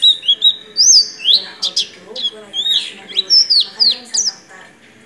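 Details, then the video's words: Oriental white-eye song in the nagen ngecrok style with borrowed white-rumped shama material: high, rising and falling whistled slurs and sharp chips, delivered in uneven, lively phrases. "Pleci gacor gaya nagen ngecrok isian Murai batu"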